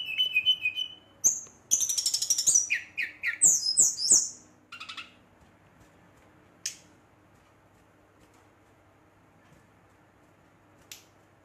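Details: Brown-chested jungle flycatcher singing at night to stir up rival birds: a rapid burst of harsh buzzes and high slurred whistles for about five seconds, then near silence with a few isolated clicks.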